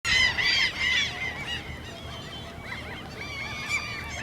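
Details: Common gulls squeaking during mating season, a begging gesture later also used by young birds to get food: several loud, arched, whining squeals at the start, then softer overlapping squeaks from many birds continue throughout.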